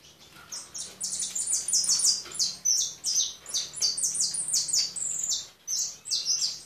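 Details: European goldfinch producing a long, lively stream of high chirps and trills, loud and sustained, with a brief pause before the final notes.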